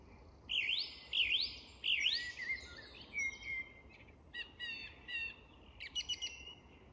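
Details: Song thrush at dusk in an English woodland, singing a looping whistled phrase three times, then a series of varied sharp, clipped notes and short chattering bursts, with other evening birds faint in the background.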